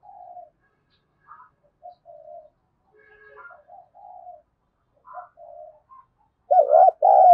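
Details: Spotted dove cooing, meant to excite doves into faster calling: scattered faint low coo notes, ending in a loud, wavering double coo.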